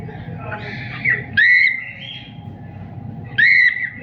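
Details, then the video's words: Singing cockatiel giving two clear rising whistles about two seconds apart, each sliding up then holding steady, with a constant low hum behind. "Cocktail singing and chiriping"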